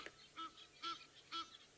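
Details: Egyptian goose giving three short, harsh, nasal, slightly rasping honks about half a second apart, with quiet background hiss, one of several chatty geese calling in the evening near hippos in an African safari reserve.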